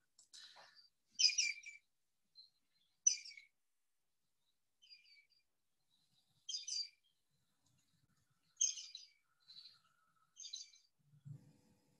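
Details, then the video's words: A common greenshank gives loud, ringing, clear notes in short bursts every two seconds or so, a call given in flight or when agitated that carries about 100 metres across the marsh; a low thump at the end. "It's not unusual to be on a different part of the marsh and hear a greenshank a long way in the distance. So I'll play their call."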